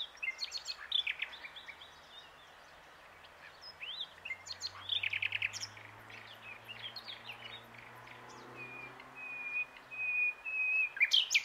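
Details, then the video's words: Common nightingale singing from a branch at the Plan d'eau du Breuil, Bourbon-Lancy: varied bursts of high chirps and slurred notes, a sustained pure whistle near the end, with a faint low hum underneath. "Rossignol Philomèle (Luscinia megarhynchos) chante sur sa branche"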